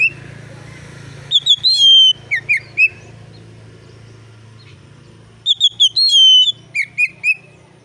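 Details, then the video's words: Oriental magpie-robin in clear, relaxed song meant to make other magpie-robins sing: two bursts of sharp whistled notes and falling slurs, separated by a long pause, with a steady low hum in the background. "kacer gacor ngeplong santai, sangat cocok memancing kacer lain bunyi dan gacor"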